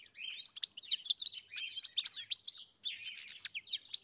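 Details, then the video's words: Goldfinch song recorded on a farm, a continuous tumbling stream of quick liquid twitters, buzzy notes and thin whistled slurs, busy and high-pitched for the whole four seconds with no pauses and no background noise. "Καρδερίνα μελωδία (Goldfinch carduelis SINGING)"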